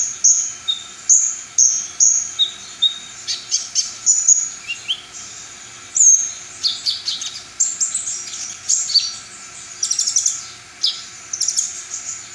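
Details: Song from a brown-throated sunbird, presented as full song material that provokes rival sunbirds. Sharp high chips alternate with lower sliding whistles, then fast trilled rattles and scattered bright notes.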